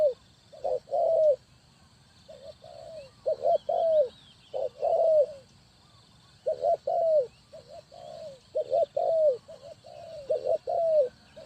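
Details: Spotted dove coos used as a lure for bird trapping: repeated phrases of short and longer falling coo notes in irregular bursts across eleven seconds, with faint high chirps of other birds.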